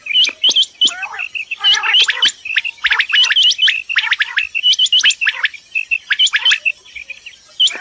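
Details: Morning calls of common quail from Dera Ghazi Khan, Pakistan: a dense, fast run of sharp upswept chirps and short clipped notes, repeated roughly every second or two with little pause.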